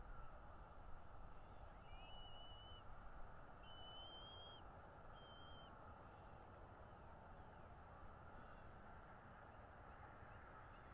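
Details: Bald eagle at a North East Florida nest on 13 February 2022, about 10:10 in the morning, caught by nest camera: three high, thin whistled notes within four seconds, the middle one longest, then only low continuous rumbling background noise.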